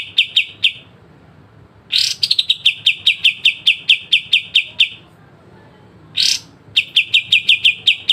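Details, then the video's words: Pied triller, known as kapas tembak, delivering sharp besetan trills for songbird training: short note runs broken by two loud harsh bursts, each burst giving way to a fast, even train of clicky whistles. "kapas tembak dengan besetan tajam"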